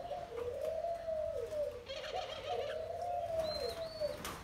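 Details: Wild-caught spotted dove after 12 days in a cage, already showing attitude; low, soft cooing with long rising-then-falling notes in a steady phrase, and a brief high chirp near the end in a quiet room.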